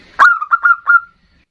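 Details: Local perkutut (zebra dove) in ndudut variation song, a lure meant to call up and agitate a rival bird; one sharp opening note followed by three shorter, evenly spaced coos, then silence.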